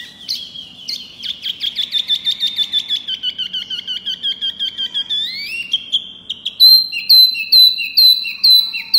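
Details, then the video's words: Small pygmy cupwing singing loudly: a long accelerating train of sharp high chips that settles into a steady whistled trill, a rising sweep, then widely spaced bright, high piercing whistles. "Si Kecil Wambi Mini Gacor Suara Keras Lantang Jos"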